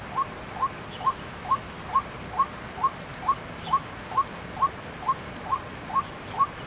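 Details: Monotonous repeated calling of a White-breasted waterhen at Chiang Kai-shek Memorial Hall, Taiwan, 6 September 2012: about fifteen brief, identical mid-pitched notes at a steady pace of roughly two per second, with steady hiss behind.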